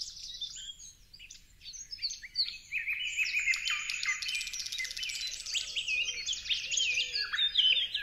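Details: Quiet start, then a swelling parrot chorus: rapid harsh squawks, chattering bursts and downward-sliding notes from several birds, growing denser and louder toward the end.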